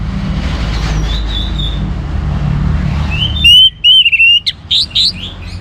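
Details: Orange-headed thrush song used to provoke other birds to sing. After a few seconds of low droning hum, a clear phrase of short, loud, high whistled notes follows in quick succession.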